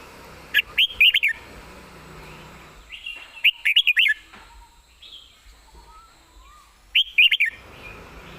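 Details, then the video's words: Caged red-whiskered bulbul repeating the same short, bright warbled phrase three times, roughly every three seconds, each a rapid run of looping whistles. "ยืนร้องชิวๆ"สำนวนดี ปากไว"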